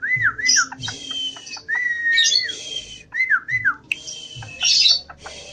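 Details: Javan pied starling in full song, repeating looping whistled phrases that rise and fall. Each phrase is followed by grating, hissy buzzes and short clicking notes.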